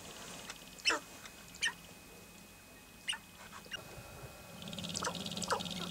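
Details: Several male sharp-tailed grouse displaying on their lek in the Nebraska sandhills give short, harsh, clucking and cooing calls at irregular intervals, with a steady background hiss and a brief noisy stretch near the end.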